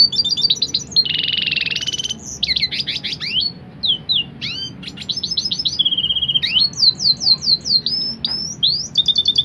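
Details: A red siskin × canary hybrid sings a rapid, varied song of high sweeping whistles, buzzy trills and sharp chips, packed closely together without pause.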